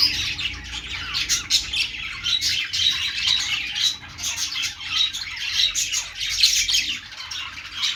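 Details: Budgerigars, pet Australian parrots, singing together: dense, continuous warbling chatter of rapid high chirps and short squawks with brief clear whistled notes, overlapping voices of several birds in a steady flock chorus.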